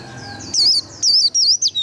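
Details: White-eye 'líu' song, used for kindling a bird's urge to sing: a thin rising whistle, then loud, high, wavy slurred notes in short bursts, with a faint low hum beneath.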